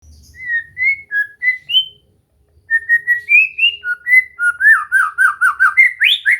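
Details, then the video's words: White-rumped shama song used for relaxed training to get a bird to sing and sing continuously: clear whistled notes around mid pitch, a short pause, then a fast run of rising and falling whistles, about four per second. "Latihan santai untuk murai batu AGAR MAU BUNYI dan GACOR"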